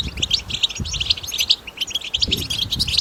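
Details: Wild European goldfinch betbeta song, recorded outdoors for stimulating goldfinches to sing: crisp, high, rapidly repeated tinkling notes and twitters in a continuous lively phrase over quiet background noise.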